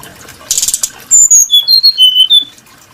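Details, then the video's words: Brown-chested jungle flycatcher, or SRDC, whose song is described as varied and melodious: after a brief rustle comes a stepwise descending series of about six pure whistled notes, each held briefly, sweet and clear. "Burung srdc menarik Hati pendengar nya"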